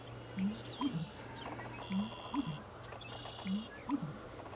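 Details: An American Bittern at Goose Pond's grassy marsh, calling as one of a trio, gives deep, gulping three-part 'pump-er-lunk' calls about every second and a half over a low hum and buzzy songs of other birds.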